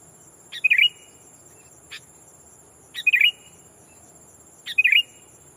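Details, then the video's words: Sooty-headed bulbul decoy calling to a rival to bring in wild birds: three rich, rolling chirps roughly every two seconds, each preceded by a snap, one lone tick in a gap, continuous high whine. "Burung kutilang pikat memanggil lawan bikin kutilang hutan ketar ketir!!"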